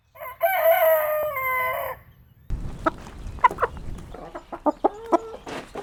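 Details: Rooster giving one loud, drawn-out crow of about a second and a half that holds steady and then drops at the end, followed by a run of short, sharp clucks from hens.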